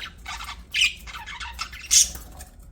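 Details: Chirping from pet budgerigars: a few rapid scratchy chatters punctuated by two louder, shrill squawks, above a soft low background hum.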